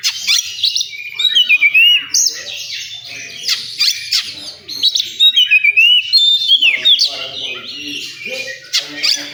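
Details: Oriental magpie-robin singing in a songbird contest area: loud, rapid bursts of high whistles and sharp chattering notes, with clear down-slurred whistled sweeps, broken by brief pauses, over a faint murmur of other sounds.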